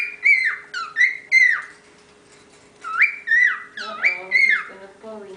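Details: Whistling from the youngest of a group of ten pet cockatiels: a run of clear slurred whistles rising and falling, three in quick succession, a pause, then more whistles overlapping lower chatter from another bird.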